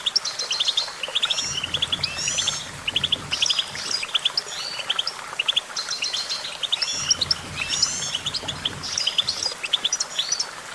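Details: Lively goldfinch song: long bursts of dense, tinkling twitters and rising squeaky notes, pausing briefly and starting again, over a faint low hum.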